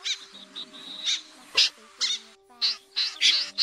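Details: Common snipe calls, used as a lure for night net trapping in August 2024: harsh, rasping, broadband calls repeated roughly every half second, with gaps between. A faint steady low hum runs underneath.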